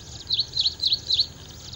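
An ashy prinia gives four high, sharp chirps in quick succession, about three to four a second, over faint low background hum.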